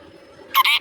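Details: Short two-part word from a talking pet parrot, a harsh harmonic syllable followed quickly by a second slightly higher one, in a quiet indoor room.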